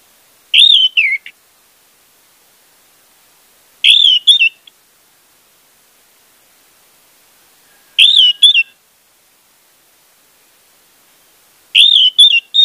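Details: Orange-headed thrush song meant to prompt a quiet bird: four similar brief warbled phrases, each a rolling whistle with a trailing flourish, spaced about four seconds apart in silence.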